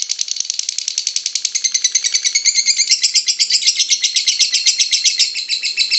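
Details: Lovebird singing a continuous fast chattering trill of dense high repeated notes lasting about six seconds, growing slightly louder midway.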